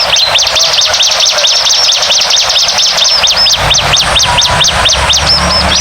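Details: Lure song of the bar-winged prinia, played loudly: high, sharply arched notes repeated rapidly and evenly without pause, backed by constant hiss.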